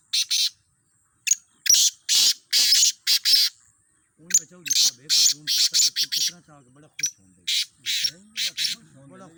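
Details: Black francolins in a calling trial of fifteen birds: loud, gritty, buzzing notes in rapid groups, then a pause and more phrases. A person talks underneath during the later half.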